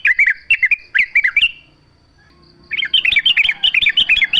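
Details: Yellow-vented bulbul singing in natural surroundings, played as a lure to get other bulbuls singing in reply. A short chattering phrase, a near-silent gap of about a second, then a longer, busier run of bubbly notes.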